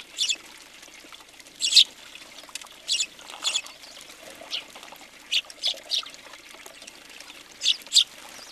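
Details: In January 2020 at a feeder in Recke, Germany, several house sparrows call in spaced, sharp chirps, often paired, separated by gaps of a second or more.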